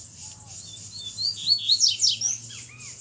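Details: Black-plumaged double-collared seedeater with a bluish-white bill, kept in a cage, delivering a strong song: a run of rapid high sweeping whistles and twittering slurs, rising then tumbling, plus a few softer lower whistles near the end.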